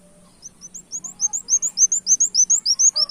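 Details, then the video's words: A brown-throated sunbird's lively song mimicking a canary, used as a lure: high rising chirps that build in loudness into a rapid, even series, with a faint low hum behind. "Suara Kolibri wulung gacor tembak kenarian"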